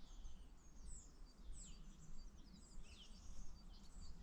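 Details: First song thrush of the year, heard on 29 February with still no winter return: faint, clear whistled phrases, each short motif repeated three to five times before moving on, over a steady low rumble of wind or distant traffic.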